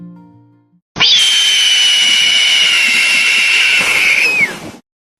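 A Red-tailed Hawk gives one long, hoarse, rasping scream, held steady for nearly four seconds before slurring downward at the end. No other sounds are heard.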